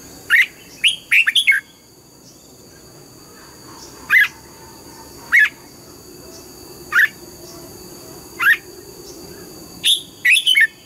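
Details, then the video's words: Morning song of a red-whiskered bulbul being trained in the mature wild double-note style: crisp whistled notes, a quick cluster first and then single or paired notes roughly every one and a half seconds, against faint background hiss. "Luyện giọng chào mào hót sáng, ép chào mào hót âm kép già rừng hay tuyệt!"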